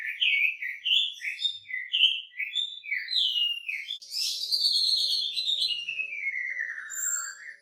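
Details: A wambi singing busily with a rich, varied repertoire, used as a master recording for training birds: quick whistled phrases bouncing up and down, then a long slurred note falling steadily in pitch, over a faint hum.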